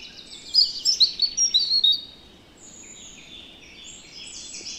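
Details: A European robin in the Netherlands sings a quick, high, tinkling phrase of about ten thin notes over a second and a half, then softer, wavering high trills against faint background hiss.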